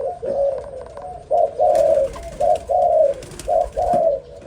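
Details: Young zebra dove with a few short, staccato coos, then louder rapid trilled coo bursts spaced roughly half a second apart. Low background noise.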